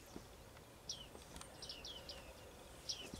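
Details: Bearded tits, or bearded reedlings, giving clear downslurred pinging calls, some in a quick run of three or four, others isolated, with faint rustling and low noise behind.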